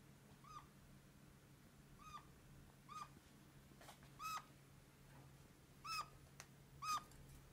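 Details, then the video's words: Kakariki, a red-crowned parakeet kept as a pet, giving plaintive, kitten-like squeaks: roughly seven brief, slightly rising squeaks about one per second, mixed with loud crisp clicks and a constant low hum. "Как разговаривает какарик"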